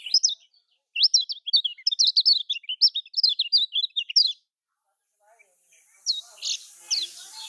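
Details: Lemon-bellied white-eye with a Lombok-style song, used to encourage silent caged birds: four seconds of fast, high twittering chirps, then quiet with a few faint notes and soft background hiss.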